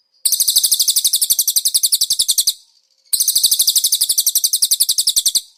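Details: Konin songbird on a master recording for training cage birds, song filled with cililin phrases: two bursts of rapid, high buzzy chattering notes, about seven per second, separated by a short pause.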